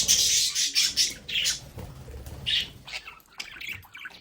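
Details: Several budgerigars kept at home in a play area, chattering with scratchy high chirps and short squawks, with soft rustling and bumps in the background.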